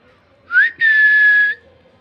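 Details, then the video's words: Talking common hill myna trying to speak with a man: one quick upswept whistled note, a brief gap, then a long steady, slightly buzzy whistle lasting under a second, in a quiet room. "Salik bird try to speak with the man | Talking Bird"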